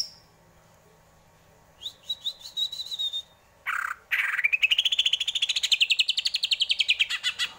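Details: Greater green leafbird singing a series of whistled notes, then a harsh burst and a long rapid rising trill of repeated chirps lasting over three seconds.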